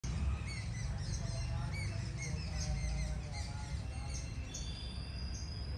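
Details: Several birds chirping in a village: many short, high chirps and brief whistled notes overlap throughout, some repeated in quick runs, over a constant low rumble of background noise.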